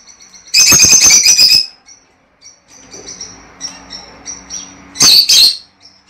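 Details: Lovebird mating-stimulation calls: a loud one-second burst of fast shrill chattering, quieter soft scratchy sounds and faint thin tones, then another brief intense burst of high squeaks.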